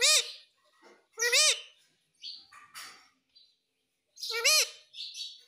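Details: Pet parrot saying "mummy": loud arched, harmonic voice-like syllables repeated about three times, separated by softer breathy hisses and short squeaks.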